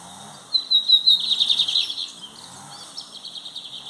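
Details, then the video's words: Lined seedeater (bigodinho) singing loudly in a classic song style used for training other birds: after a short silence, a bright high phrase of fast repeated notes runs for about one and a half seconds, then fades into softer, scattered twitters. "Bigodinho cantando alto"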